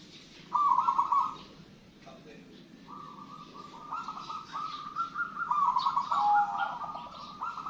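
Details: Local wild-type zebra dove (perkutut) singing actively: several rolling, warbled cooing phrases near one pitch, each under a second. They come in a loose series over steady background hiss and a faint lower hum.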